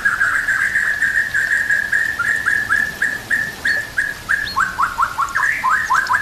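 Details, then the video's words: Training song of a white-rumped shama, laced with kapas tembak and cililin canary imitations: a long steady series of short, even whistled notes repeated several times a second, ending in quicker downslurred chips. "MASTERAN MURAI BATU ISIAN KAPAS TEMBAK KENARI CILILIN"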